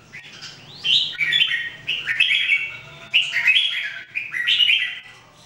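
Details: Caged Red-whiskered Bulbuls, three birds, in daily singing training: short bright warbled phrases of rising and falling whistles, repeated roughly every second, clear over a faint low hum.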